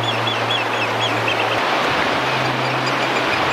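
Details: Eurasian oystercatchers at a high-tide roost on Hilbre Island, Dee Estuary, on September 25, 2014: short, high piping notes repeated in quick bursts, half buried under a heavy, steady wind roar and a low hum.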